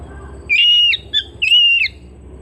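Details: Oriental magpie-robin kept at home: two long, even whistled notes in quick succession, each with a short note after it, over a light background hum.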